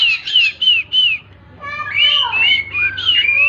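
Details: Oriental magpie-robin (kacer) singing in the tembakan style: four short, bright, slurred whistles in quick succession, a brief pause, then a fuller burst of overlapping whistles with a falling slur and more clear whistled notes.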